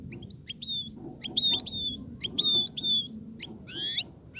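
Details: European goldfinch singing to encourage a female to mate and nest; clear high whistled notes with sharp buzzy chirps, repeated roughly once a second, then a quick rising trill at the end, over faint low hum.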